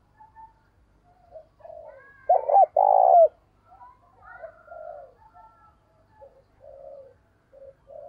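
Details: Spotted dove used as a decoy bird, calling to lure wild doves in the morning: one loud, low, husky double coo stands out mid-clip amid many fainter, scattered cooing notes from the surroundings.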